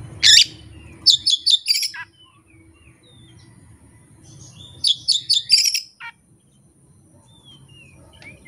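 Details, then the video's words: Oriental magpie-robin singing out its fill-in repertoire with no tutor recordings and no rival bird: bright, sharp chirped bursts in two clusters of rapid notes, separated by a long quiet pause with faint low background hum. "KACER JAYA SURYA NEKAT BONGKAR ISIAN TANPA MASTERAN DAN TANPA LAWAN"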